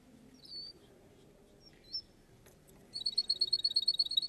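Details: Russian canary at a singing contest: after a quiet start with two faint high whistles, a fast, loud, evenly spaced high trill bursts in for the final second and a half.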